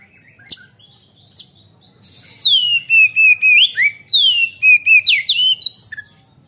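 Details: Oriental magpie-robin in strong song, played to draw out untrained young birds. After two sharp clicks comes a rapid series of about a dozen bright descending whistles, each about a third of a second long.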